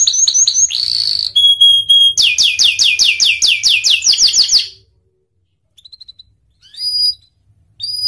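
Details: Pied canary in full song, a fast series of descending whistled sweeps repeated several times a second, rising trills and pure whistled notes, ending with short chirps after a brief pause.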